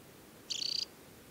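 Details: In early July at Tinnhølen lake, Hardangervidda, Norway, a banded adult Temminck's stint utters a lone rapid rattling trill, high and even, with low ambient noise beneath.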